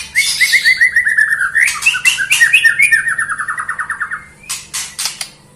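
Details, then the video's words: Melodious white-rumped shama song: a fast, rattling run of repeated notes sliding downward, then a second long trill of rapid notes. It ends with a few sharp, separate chips. "kicau burung murai batu merdu"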